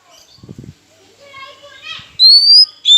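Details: Oriental magpie-robin lure song meant to provoke rival birds: faint murmurs and low thumps, then two loud, pure, rising whistles near the end.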